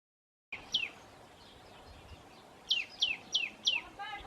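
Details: Tailorbird calling in the Himalayan foothills at Rishikesh, India: sharp high descending notes, one alone then four quickly repeated about every third of a second, ending in a harsher burst.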